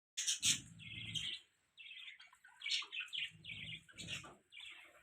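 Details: Budgerigars chirping: a busy chatter of bright warbling and scratchy notes in overlapping bursts, with short pauses, plus some low rumbling sound beneath the louder phrases.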